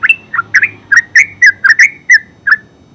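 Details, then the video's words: Rapid ngeropel song of a yellow-vented bulbul, locally called terucuk: about ten quick liquid chirps in three seconds, each note bending up then down, over a quiet background. "Terucuk full suara ngeropel"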